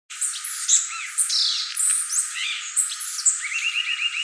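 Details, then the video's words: Violaceous euphonia song: a quick, jumbled run of high chirps, slurred whistles and sharp notes, ending in a short series of rapid, rising, trill-like notes; the low end is filtered out. "gaturamo verdadeiro | guriatã canto"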